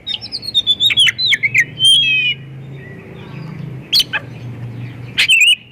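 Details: White-rumped shama lure song meant to draw other shamas into song: a quick string of whistled, descending notes and chips, a pause with low hum, then a couple of sharp bursts and a final whistle.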